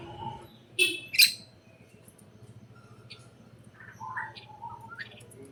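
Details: Birds chirping inside a greenhouse: two sharp, loud high chirps early on, followed by scattered softer high tweets and a few short whistled notes rising and falling, over a steady low hum.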